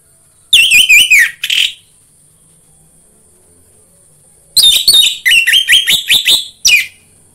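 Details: Orange-headed thrush song played to stimulate a caged bird to sing: two bursts of rapid, varied whistled notes around the upper-middle pitch, sliding and trilled, separated by about three seconds of silence, with a steady high hiss throughout.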